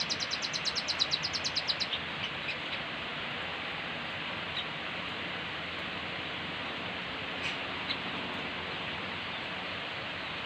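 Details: Rembetan bird singing vigorously, recorded at Ciroyom Pekuncen: a quick burst of sharp, high, evenly spaced chipping notes for about two seconds, then a few faint scattered chirps over steady background hiss.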